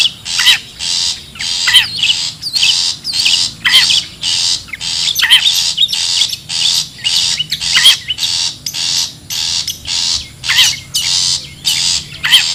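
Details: Long-tailed shrike from the wild giving a call used to lure birds: a long, steady series of about seventeen harsh rasping bursts, evenly spaced at under one second, with occasional bent tonal notes.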